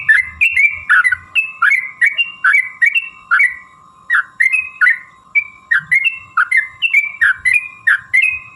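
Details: Sooty-headed bulbul in long rolling song meant to make other bulbuls reply: clear, chirpy phrases of swooping notes in quick succession, with short pauses between runs and a constant hum behind.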